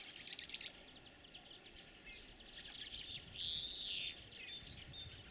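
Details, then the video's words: Spring song of a European greenfinch during the breeding period: quick chirping twitters opening the phrase, then a loud, sustained buzzy wheeze, followed by softer trills. "Зеленушки. Голоса птиц"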